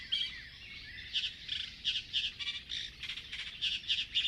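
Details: Common reed warbler singing at Urdaibai in the Basque Country, a migratory bird: harsh chattering notes repeated several times a second in an uneven, churring rhythm, high-pitched and grating.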